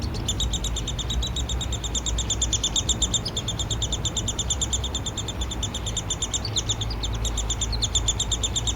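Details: Downy woodpecker nestling being fed by its father, Lethbridge, Alberta, Canada, July 12, 2026; a continuous chatter of high, rapid chirps runs throughout, partly covered by a strong, constant low rumble.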